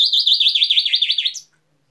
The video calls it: İspinoz sesi